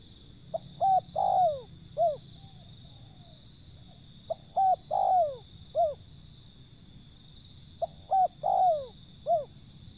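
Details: Wild zebra dove calling: three low cooing phrases about three seconds apart, each a short note, a rising-falling coo, a long drawn downward-sliding coo, then a final arched note, over faint steady hum.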